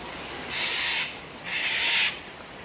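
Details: Two loud, grating cockatoo screeches, each about half a second long, given at sunset at Tanninaba Falls, Springbrook, on 19 May 2024, where the birds drink daily at the waterfall. Falling water is heard in the background.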